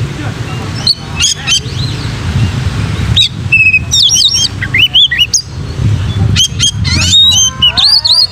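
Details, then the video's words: Oriental magpie-robin song for training other magpie-robins: scattered sharp chips at first, then dense bursts of looping whistles, rising slurs and harsh notes, with a steady low hum in the background. "BERONTAK!!! KACER MANAPUN IKUT GACOR PLONK COCOK BUAT KACER BAHAN MELATIH MENTAL KACER"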